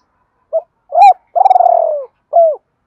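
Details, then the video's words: Decoy spotted dove in Dong Nai, Vietnam, cooing to draw in wild doves; one phrase of short notes, a rolling, trembling drawn-out coo sliding downward, and a final hooked coo. "Chim cu gáy mồi gáy gọi bổi hay nhất Đồng Nai dùng kích bổi hiệu quả"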